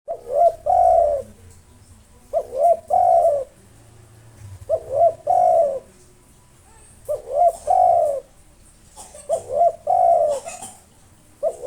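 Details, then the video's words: Local spotted dove singing nonstop with long breath to provoke rivals; low cooing phrases near 600-700 range, each a short note then longer rolling coo, repeated about every two seconds, faint hiss in background. "SUARA BURUNG TEKUKUR LOKAL NAFAS PANJANG GACOR NONSTOP MANGGUNG 7 MENIT COCOK UNTUK MANGGIL LAWAN"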